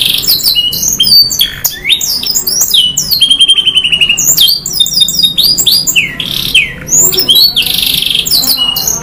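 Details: Canary in full, vigorous song in the long-burst style with varied fill phrases: rapid high trills, rising and falling whistled sweeps and a sustained rolling trill, delivered almost without pause, with a faint low hum underneath.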